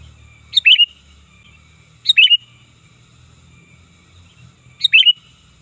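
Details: Sooty-headed bulbul, used to lure birds: three loud, bubbly calls about 1.5 seconds apart, each a short rising-falling warble followed by a quick fluttery ending, with faint low rumble underneath.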